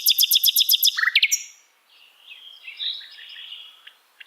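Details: Asian brown flycatcher training song for songbirds to copy. It opens with a fast series of about seven bright, evenly spaced high notes and a couple of downslurred chips, then fades into soft, scratchy warbling.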